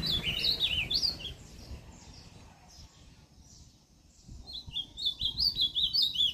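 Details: Ultramarine grosbeak (azulão) singing in northeastern style at Limoeiro do Norte, Brazil, 20 September 2023; bright zigzag whistled phrase, a quiet gap, then another quick warbled burst of high sliding notes.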